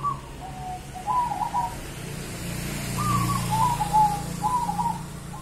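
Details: Local wild zebra dove of Java giving its song: short, quavering trilled coo phrases in a loose series, the longest stretch near the middle, while a steady low engine-like rumble runs underneath.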